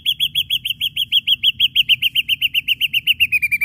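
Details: Ashy drongo pouring out a rapid chatter of sharp notes: a long, steady series of high clipped chips, roughly six per second, gradually dropping slightly in pitch toward the end.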